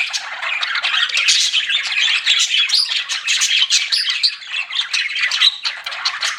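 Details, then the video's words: Pet budgies chirping: a steady wash of fast, scratchy twitters and high thin whistles, several birds overlapping. "CUTE PET BUDGIES CHIRPING"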